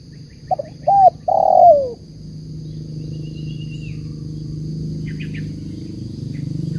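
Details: Spotted dove giving a banggo bocor coo: two short rising notes, then a longer, drawn-out falling coo, followed by a steady low engine-like hum and a faint high whine.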